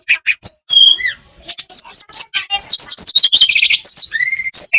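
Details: Olive-backed tailorbird song played to stir quiet birds into singing, mixing clear drawn-out whistles, falling slurred notes and quick buzzy chip series, with a short lull near the start.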